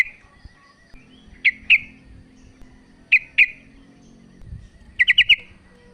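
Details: A female sooty-headed bulbul calls to the male with spaced pairs of sharp chirps, then a tight run of four quick notes near the end, against a faint low rumble.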